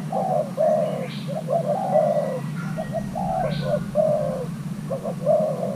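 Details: Young male Thai hybrid spotted dove in pairing, delivering its coo pattern: clusters of short hooting notes followed by longer drawn coos, repeated roughly every second or two, against a low continuous hum.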